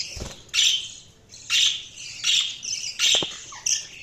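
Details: Budgies chirping in loud, rasping squawk bursts about once a second, separated by quieter high twittering, with a couple of soft knocking thumps in the background.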